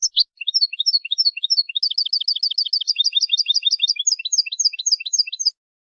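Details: European goldfinch song for training birds: a fast continuous twittering of high, varied chirps, about three notes per second, running for over five seconds before stopping, with no other sounds.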